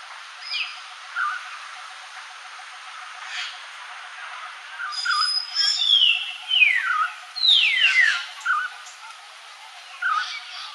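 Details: Southern hill myna south of Kandy, Sri Lanka, on 11 March 2019, giving loud, clear whistles that slide steeply downward, a few notes spaced out, then a quick cluster of sharp swooping calls midway.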